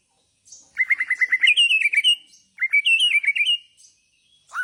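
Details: Bornean white-rumped shama singing in the bowing style known as gaya sujud: a rapid run of seven sharp rising notes, then slurred whistled phrases, a pause, and a second similar phrase of clear, bright whistles.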